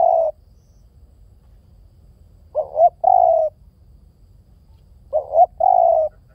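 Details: Spotted dove cooing at a slow, regular pace. The tail of one phrase is followed by two complete phrases about two and a half seconds apart. Each is a quick double hoot and then a long even coo.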